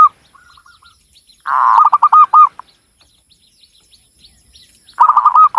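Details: Local Javan zebra dove, Cilacap, Central Java: soft notes, then a rough rolling burst leading into quick mellow hooked coos, a pause, and the same rolling opening again.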